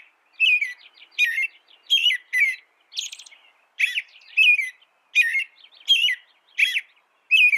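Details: American robin singing a run of short whistled, warbling phrases that rise and fall around the middle-high register, each followed by thin high squeaky notes, delivered in quick succession with brief pauses; no other sounds.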